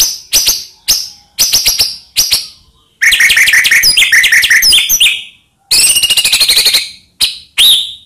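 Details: White-rumped shama song used as a lure to provoke quiet shamas into singing. Harsh buzzy bursts are followed by a long run of rapid chattering notes mixed with looping whistles, then more short, loud, raspy bursts.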